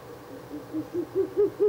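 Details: Ural owl on the third night of nest-box visits, 16 April 2024: a short run of quick low hoots building in volume and pitch, each note clearly separated.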